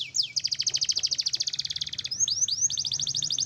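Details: Energetic pet canary, black-red variety, with a long fast pulsing trill, a few upward-sweeping whistles, then another rapid trill.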